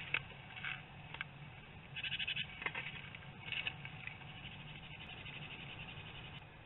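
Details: Eurasian blue tits disputing a roost site, 1 December 2020, Théding: short, harsh, buzzy scolding bursts in a handful of irregular spurts over a steady low electrical hum.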